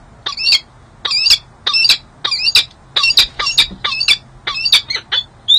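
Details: Female peregrine falcon courting her mate at the San Jose City Hall nest site in January; loud, rapid grating chips in pairs and groups, nearly continuous, with a faint low hum beneath.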